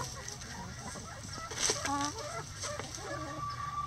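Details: Backyard chickens busy with everyday activity, murmuring in soft overlapping clucks and short tonal notes, ending with a sustained thin whistle-like call, against a steady low hum.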